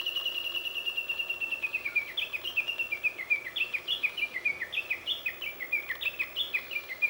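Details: Japanese bush warbler hidden behind mulberry leaves, singing out of sight: a long, fast run of sharp high notes, each dropping in pitch, repeated roughly three times a second without pause.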